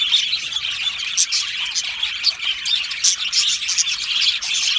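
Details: An aviary colony of Australian budgies producing unbroken high-pitched chatter, overlapping chirps, trills and brief squawks from many birds, loudness rising and dipping slightly.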